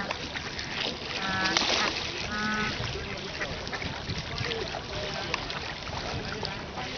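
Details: Albert, a snow goose in Berlin, gives a few nasal, harmonic honks in short bursts over a steady background hum, with faint voices and other waterfowl sounds.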